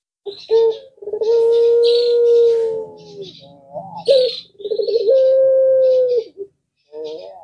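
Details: A puter pelung collared dove gives long, drawn-out, steady coos, each held over a second, with a brief rising note between; faint high chirps from other birds answer in the background.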